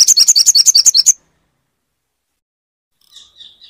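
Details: Crimson sunbird song used to get a silent bird singing: a brisk one-second trill of high alternating notes, then silence and faint soft warbling near the end.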